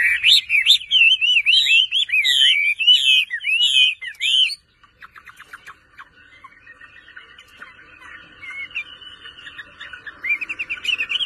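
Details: A kept Chinese hwamei delivers a burst of loud, repeated whistled slurs for about four and a half seconds, then falls to soft, fast chips and quiet warbling, with louder whistles returning at the close.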